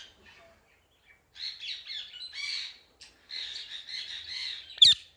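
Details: Indian ringneck parakeet giving two runs of harsh, buzzy squawks, each lasting about a second and a half, separated by a short pause, then ending in a sharp, loud click-like snap.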